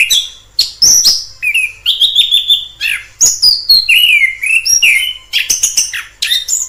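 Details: Varied song of a wild orange-headed thrush, mixing steady whistled notes, downward slurs and short bursts of chatter, phrases repeated with small changes.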